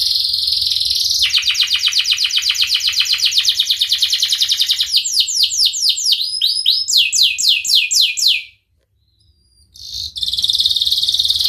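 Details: Canary singing a Cengkok Mewah phrase, meant to get canaries singing quickly: a buzzy trill, a long run of evenly spaced chirps, then looping whistled sweeps, a short silence, and a renewed high rattle.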